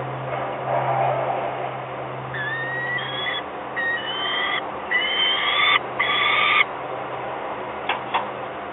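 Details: Young peregrine falcons recorded in Gdynia, Poland, on 28 May 2021. A run of drawn-out, harmonic, slightly rising calls follows in close succession, each lasting about half a second, then breaks off. A couple of short clicks come near the end over a low background hum.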